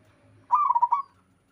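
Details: Single melodious coo from a local wild zebra dove: one quick phrase of five or six rolling pulses, lasting about half a second and fading into a slight trailing tone, over faint low hum.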